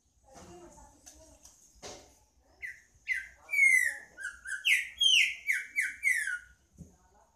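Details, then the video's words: Human speech at first, then a green-winged saltator breaks into a long series of loud, clear whistled notes, many sliding downward, repeated in quick succession for about four seconds. "Trinca ferro cantando"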